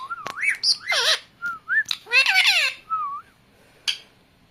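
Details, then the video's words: Talking pet parrot giving wavering whistles and harsh voice-like phrases with sweeping pitch, then a single sharp click. "New talking parrot"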